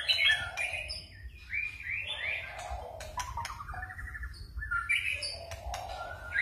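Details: White-rumped shama singing a forest-style song with varied, switching phrases: bright whistled notes and slurred rising and falling runs, some trilled segments, delivered in bursts separated by brief pauses over a low background rumble.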